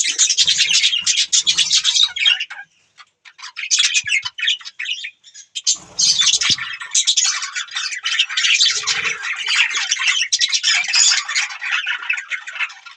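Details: Budgies chirping and squawking in fast, uneven runs of scratchy high notes, with a quieter stretch early on before dense chatter returns.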